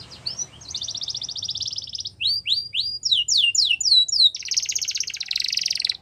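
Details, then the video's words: Canary song aimed at stimulating other canaries: a buzzing rapid trill, a string of loud upswept whistled notes, then another dense, rattling trill. "All The Canaries Will Sing Along After Hearing This Canary Chirp"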